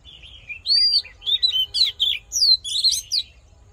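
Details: Voice-training fighting song of an Oriental magpie-robin: fluty rising and falling whistles strung into a fast varied phrase with some rasping chips.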